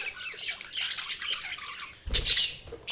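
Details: Budgerigars chattering softly in scratchy warbles, then a loud burst of squawking with a low thump near the end.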